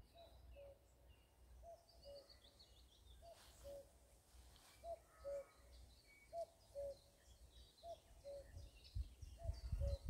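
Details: Common cuckoo calling in spring, Shropshire, May 2024: seven clear two-note cu-coo calls, the second note lower, repeated about every one and a half seconds over low wind rumble, with faint high chirps from other birds.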